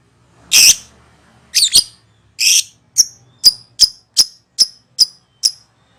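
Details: Lovebird ngekek, a call used as a lure for birds: three harsh screeches open the sequence, then a steady series of eight sharp high chirps about every 0.4 seconds.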